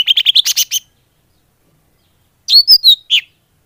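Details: Lure call of the greater green leafbird for attracting birds: a quick stuttering run of high chirps, a pause, then a few loud whistled, slurred notes.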